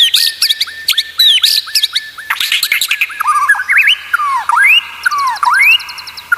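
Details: Caged-bird training song of the white-rumped shama: a rapid series of repeated short notes, then harsh squawky bursts, then looping downslurred and upslurred whistles alongside fine high trills.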